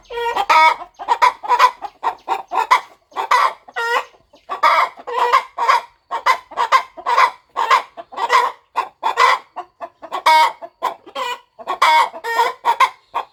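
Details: Hen brooding her nest in a quiet farm corner, turning her eggs as hatching nears. A long, even series of short clucks, each with a slight nasal edge, repeats roughly every half second throughout.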